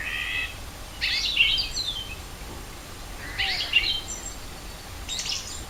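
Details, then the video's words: At Rohozianske reservoir in Kharkiv region, a spring recording from 4 April 2010: sparse bursts of scratchy twittering song separated by pauses of two seconds or more, with faint ambient noise between. "Пение птиц"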